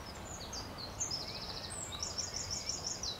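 European stonechat giving thin, high, scratchy notes that run into quick twittering bursts of rapidly repeated notes, over a steady background hiss.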